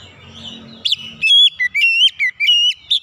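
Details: Lure song of an oriental magpie-robin, meant to set other birds singing. A second of low rumbling background comes first, then loud whistled phrases of sliding notes, some upslurred and some downslurred, in quick succession.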